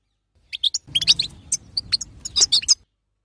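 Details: Female European goldfinch chatter, or batbata, meant to make a male sing: scattered high, twittering chirps and buzzy notes across about two seconds, over a faint low rumble.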